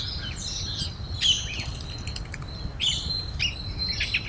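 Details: Parrots in a feeding flock in a Bangalore park give loud, overlapping shrill calls in bursts, with a squirrel nearby and constant low rumbling background noise.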